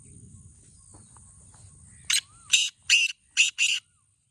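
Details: Black francolin calling in a contest, one phrase of five grating, buzzy notes in quick succession after a quiet stretch of low background rumble and a faint rising whistle.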